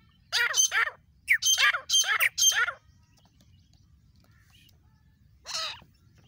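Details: Grey francolin calling in India: a harsh, squawking phrase of about four loud, repeated notes in quick succession, then a pause and one more note, over a quiet low rumble.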